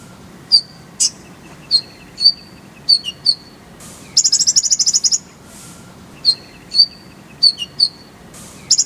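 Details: Oriental white-eye, known locally as konin, singing in a loop used to train other songbirds: thin high whistled chirps spaced about half a second apart, broken by a rapid bright trill of repeated notes.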